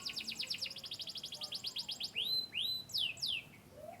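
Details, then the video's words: Canary of Yorkshire descent from Turkey and the US, singing: a fast series of short high chirps, then loud rising and falling whistled sweeps and a few upslurred notes near the end. "chirping birds.Canary bird."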